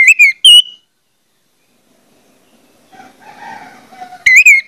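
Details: Orange-headed thrush song used to prompt others of its kind to sing: a few loud whistled notes, a long silence, soft low chatter in the background, then the start of another whistled phrase.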